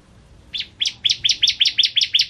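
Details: High, sharp chips from a caged bar-winged prinia of the crystal type, each note a quick two-part flick, repeated about five times per second in a steady run.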